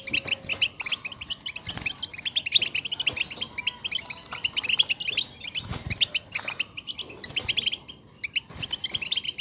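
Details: Collective European goldfinch twittering for rousing goldfinches to sing; many birds overlap in rapid high chirps and trills, steady over the span with short quieter moments and faint background clicks.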